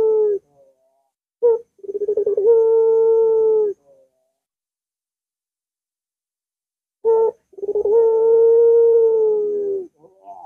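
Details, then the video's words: Barbary dove used as a lure for a dove reluctant to sing. Two long low hooting phrases are separated by about three seconds of silence. Each begins with a clipped coo and stuttering pulses before the tone settles and holds. "Puter Macet Puter Malas Bunyi Langsung Ngaut"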